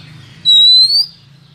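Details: Female Oriental magpie-robin calling to lure males, used as a trapping recording: one clear, rising whistle lasting about half a second, with a faint low hum behind it.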